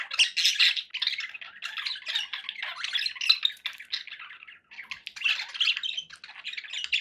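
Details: Domestic budgies kept as pet birds give continuous rasping warbles and chirps, a busy flock chatter that dips briefly near the middle before resuming.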